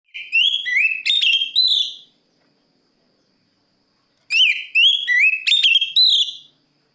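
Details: Oriental magpie-robin (kacer) singing to call a rival: two loud bursts of clear whistled phrases with rising and falling notes and sharp chips, separated by about two seconds of silence.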